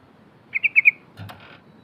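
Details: Yellow-vented bulbul, a vigorous singer, used as a lure to make mute bulbuls sing: four quick, clear bubbling notes, followed by a soft muffled knock.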